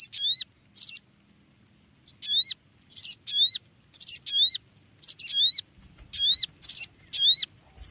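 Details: Noisy small bird giving bursts of high, sharp, chevron-shaped chirps in quick clusters, each burst lasting under a second with short silent gaps between them.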